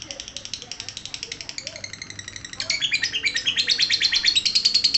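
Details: Rapid lovebird chatter in the ngekek style, starting softly with evenly spaced high chirps, then growing louder and more jumbled halfway through as the notes crowd together into a shrill, buzzy stream.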